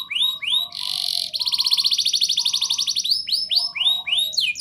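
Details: Canary pouring out rolling song to encourage young canaries to sing; falling swoops, a harsh buzzy burst and a long rapid trill, with fainter lower whistled notes beneath.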